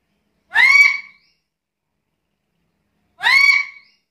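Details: Black-capped lory giving two loud, harsh, rich-toned squawks with a slight upward inflection, about two and a half seconds apart, in silence between.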